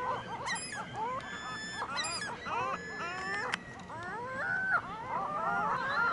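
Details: Several gulls crying on a Michigan City parking lot: strained, wavering calls that bend upward, some sharper squeals early on, calls overlapping and trailing into a longer sequence toward the end, light background rumble.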